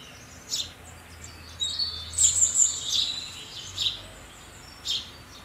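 House sparrow chirps: short, high, bright notes in irregular bursts, a cluster of quick chirrups in the middle, over faint low background hum.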